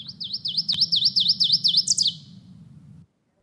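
Ovenbird song: about nine sharp, high two-part notes in quick succession, building louder like a chanted teacher-teacher, over a low steady hum.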